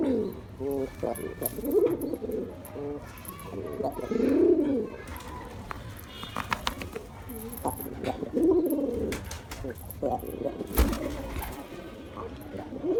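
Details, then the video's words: Repeated deep coos of a male pigeon seeking a female, rolling phrases every few seconds, with scattered clicks and a sharp knock near the end. "Male Pigeon Sounds To Attract Female Pigeon"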